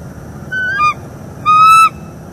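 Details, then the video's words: Mating pair of wild bald eagles on a live nest cam in northeast Florida, morning of 25 October 2021: two clear whistled notes with bright overtones, the first shorter and wavering, the second longer and steady, over low background hum. "Bald eagles; morning mating and vocals"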